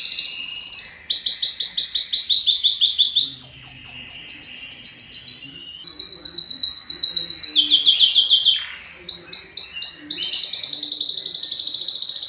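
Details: Varied yellow canary song in which several fast trills follow one another, each at a different pitch, broken by short pauses and a quick downward sweep, all bright and high.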